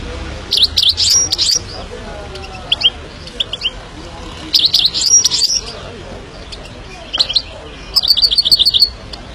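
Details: Himalayan goldfinch giving several bursts of high, rapid twittering song separated by pauses, with scattered single chirps between phrases and a final evenly spaced trill.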